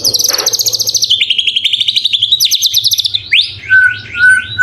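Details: Murai batu, the White-rumped shama, in a full 'isian' and 'tembakan' song for training birds: a long rapid trill that drops in pitch, then three loud rising whistled swoops.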